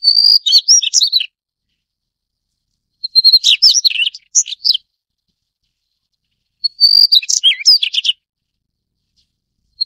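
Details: Phrases of high, scratchy, twittering notes from a Daurian redstart, each about one and a half seconds long and repeated roughly every three and a half seconds, with silence in between.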